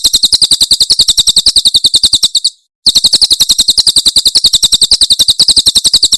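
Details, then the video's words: Javan prinia Tembakan Cililin song, for tutoring caged birds: a long, rapid series of sharp high chipping notes, cut by a short pause after about two and a half seconds, then resuming at the same quick, even pace. "Masteran Tembakan Cililin SUARA SUPER JERNIH"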